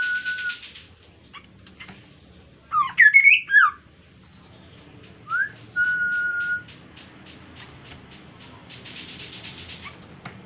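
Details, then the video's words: Kaso-kaso bird, an insectivore, singing energetically as a lure for other birds: buzzy pulsed bursts, a cluster of quick zigzag whistles, a rising slur into a long flat whistle, and faint rapid ticking throughout. "KASO KASO GACOR COCOK UNTUK PANCINGAN BIAR IKUTAN GACOR JUGA"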